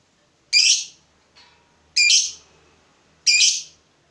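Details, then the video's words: Fighter lovebird, provoked by a rival, gives three abrupt, rasping high calls at intervals of about one and a half seconds, with a faint softer note between the first two. "Lovebird FIGHTER terpancing Panas, nyaut Ngetik lanjut Ngekek Panjang"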